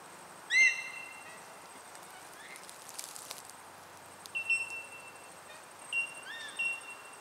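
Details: Superb fairywrens in suburban Melbourne, Australia, where two males are moulting out of breeding plumage, give a few brief, high, clear chiming calls, spaced irregularly a second or more apart, over a faint steady high hiss.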